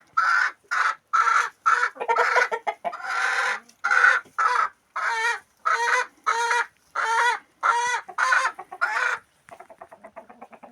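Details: Chicken clucking loudly in a farm setting: a run of harsh, rhythmic clucks about twice a second, each a short buzzy burst with stacked tones, ending in softer quick ticking notes.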